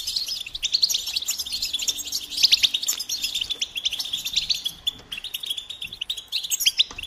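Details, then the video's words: A goldfinch sings a lively stream of high chirps, liquid twitters and sharp bright notes, with louder phrases in the middle and at the end, against near silence. "Experience the Goldfinch Singing"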